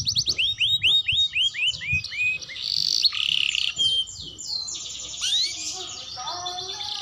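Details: Juvenile canary learning its song: quick repeated chirped notes slurring downward, a harsh buzzy passage, then scattered rising whistles and softer twitters.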